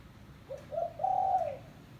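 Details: Spotted dove lure call: one low phrase, a faint short coo, a second coo, then a long even hooting coo fading out.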